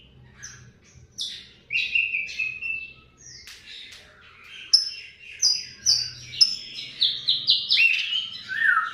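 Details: Asian pied starling delivering a song laced with mimicked lovebird chattering ('ngekek'): varied thin whistles, falling squeaky slurs and sharp chips in irregular sequence, growing denser and louder toward the end, with faint low background hum.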